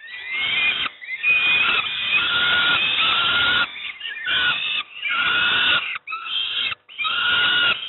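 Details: Near-continuous rasping, wheezy begging screams come from young peregrine falcons being fed breakfast at Moszna near Pruszków, Poland, some with a thin rising whistle-like edge, roughly one call per second.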